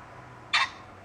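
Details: Young male common pheasant walking on a lawn by a barley field in southern Sweden, 16 August 2012, giving repeated calls; here one harsh rasping squawk under a fifth of a second over a quiet hum.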